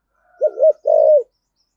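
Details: Spotted dove cooing in 'thổ sấm' style as a decoy: a double hoot then a sustained purring low note ending in a slight drop, with a thin faint whistle heard beneath the opening.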